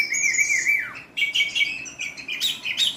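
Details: Oriental magpie-robin with a coarse song style: a drawn-out whistle slurring downward, then quick harsh high chirps and rasping bursts.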